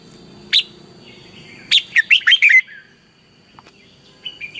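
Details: A red-whiskered bulbul sings in the morning as a training decoy in the fiery 'căng lửa' style: a single sharp note, then a rapid five-note burst of chirpy slurred whistles, and a soft closing twitter against a faint high hum.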